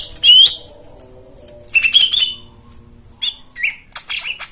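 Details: White-eye song meant to restart silent birds: an opening rising whistle, a pause, then a second burst of bright whistled notes followed by softer scattered chirps and a short descending twitter.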